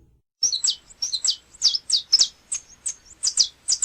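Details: Canário-da-terra, the saffron finch, from a recording of Brazilian birdsong naming Minas Gerais, Mato Grosso, São Paulo, Goiás and Espírito Santo: a steady series of sharp, high, downslurred chirps, about three per second.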